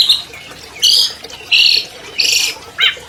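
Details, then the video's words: Albino long-tailed shrike, a captive champion bird whose voice is used to prompt non-singing shrikes, giving loud, harsh, grating squawks in short bursts, roughly one every half second to second. "MASTER SUARA CENDET ALBINO JUARA 2020 #AMPUH MEMANCING CENDET MACET BUNYI"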